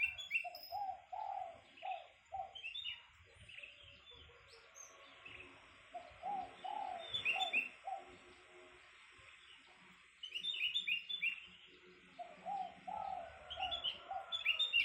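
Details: Spotted dove repeating phrases of mellow low coos at intervals, over a steady hiss with small birds chirping in the background.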